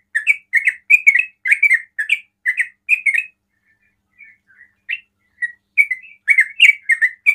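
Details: Rapid 'ropel' song of a sooty-headed bulbul, used to make other bulbuls call back. Fast bubbly chirping, a quiet stretch with a few soft notes, then another loud chattering burst.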